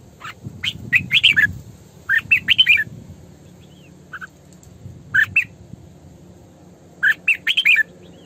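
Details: Female red-whiskered bulbul singing as a lure bird: three bursts of quick, bright, warbling notes, each of four to six syllables, separated by short pauses, with scattered single chirps and some low background rumble.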